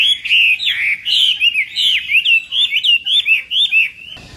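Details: Morning training of a Chinese hwamei for a singing contest: loud looping whistled phrases repeated rapidly, ending with a short burst of noise.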